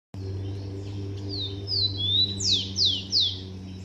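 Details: Blond-crested woodpecker at its nest in a garden: a quick series of about six loud, high notes. The first notes are level or rising, then sharp downslurred notes grow louder toward the end, over a steady low hum.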